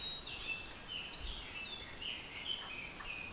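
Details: An adult Eurasian wren, apparently nesting nearby and busily carrying food, sings from a favourite branch: a high, rapid song of tumbling trills and sharp notes, rather faint, over a steady hiss of outdoor background noise.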